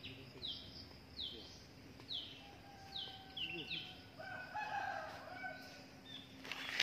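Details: Drongo gives short, sharp, slurred, high, bright notes about once a second at a nest in the wild, where two adults, including the male, come to feed well-grown young; low hum, rooster-like crow and other birds behind.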